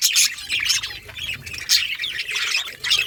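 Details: Budgies singing in a dense, high chattering stream of squawks and chirps, with sharp bursts of brighter notes at the start, middle and end.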